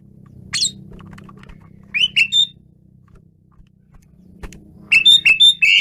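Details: Asian pied starling giving loud whistled two-part notes, a few early phrases, a quiet stretch, then a rapid run of four ringing whistles against a low background drone.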